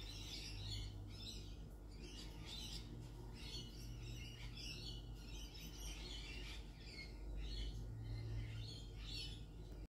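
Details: Sulphur-crested cockatoos in Australia: harsh, raspy screeches repeat roughly every second, possibly from several birds, over a steady low rumble.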